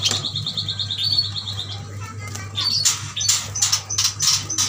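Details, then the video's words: Caged Kalimantan yuhinas, bought as a bunch, give a rapid even string of about a dozen high chips, then louder clustered chirps and sharp clicks over a steady low hum. "Burung yuhina gacor"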